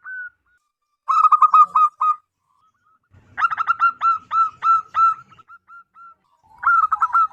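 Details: Local wild zebra dove with a loud, powerful voice, used as a lure: bursts of rapid stuttering coos, each run about a second long, followed by smooth level whistled coo notes, repeated in three bouts.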